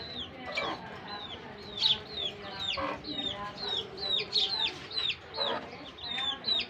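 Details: Pair of kept Pakistan ringneck parakeets calling together: a steady run of sharp, down-slurred chirps repeated roughly twice a second, with louder raspy notes now and then over a noisy background.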